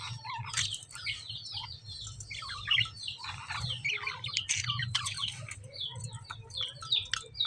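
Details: Constant lovebird twittering: many rapid, overlapping high chirps forming a dense, busy chatter, with a low rumbling hum beneath.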